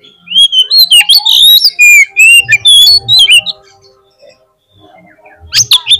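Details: White-rumped shama lure song to make a bird sing: about three seconds of loud, rich whistled phrases with sharp chips, a near-silent gap, then another loud burst.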